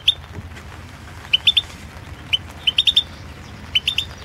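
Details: Balkan goldfinch singing for a 2016 internet song championship: crisp high chirps, some single, some in quick runs of three or four, spaced irregularly across a few seconds above a low hum.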